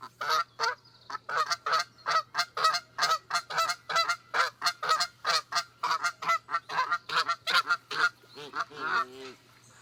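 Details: Canada goose honking, played as a quiz sound heard often in fall as they migrate south: a steady run of about thirty loud nasal honks, several a second, with lower grunting notes near the end.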